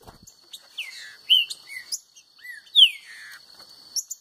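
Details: Green-winged saltator singing in competition against a free-living bird: loud, clear whistled phrases of slurred, downward-sliding notes, some paired, with irregular gaps, over a steady high electronic hum and a brief low thump at the start.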